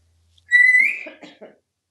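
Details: Male African grey parrot, a pet in a Texas home, whistles a bright, slightly rising tone that flows straight into several short, lower speech-like syllables.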